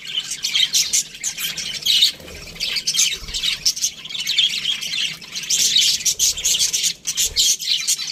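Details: Budgerigars in an aviary, a flock chattering together: dense, scratchy high chirps and warbles that overlap almost without pause, with a short dip in volume near the second mark and another near the seventh.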